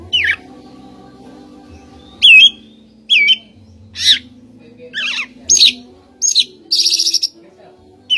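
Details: Oriental magpie-robin song of varied single notes: a curling whistle, sliding downward strokes, chirps, and a closing dry buzzy rattle, spaced irregularly over a low background drone.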